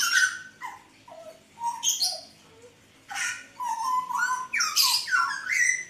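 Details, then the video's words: Lively Hooded butcherbird mixing clear descending whistles with rasping, squawky notes; a few separate fluty notes come first, then a denser run of rising and falling phrases, recorded indoors with low hum beneath. "Kicauan Jagal Papua Gacor"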